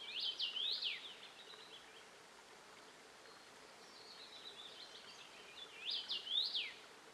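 Common rosefinch giving two short bursts of clear, slurred whistles that rise and fall, about five seconds apart, with a faint phrase between them.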